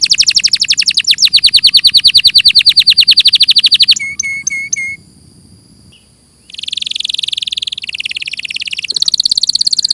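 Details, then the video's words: Clear canary song: a fast, loud trill, then four spaced whistled pips, a brief quiet moment and buzzy churring rolls. "Masteran suara burung KENARI"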